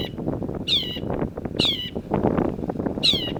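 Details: Long-tailed shrike (cendet) calling with three loud, nasal, downward-sliding squawks spaced about a second apart, rich in overtones, over a steady murmur of low background noise.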